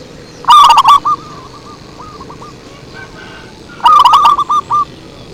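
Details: Lure recording of zebra dove: two blaring, overdriven phrases of rapid coos separated by about three seconds, with softer cooing trailing after each.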